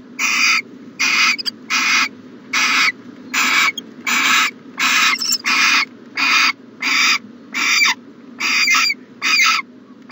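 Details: Owl in a nest box on a January 2020 morning giving a steady run of rough, breathy hisses, each about half a second long and repeated roughly every three-quarters of a second, over a constant low background hum.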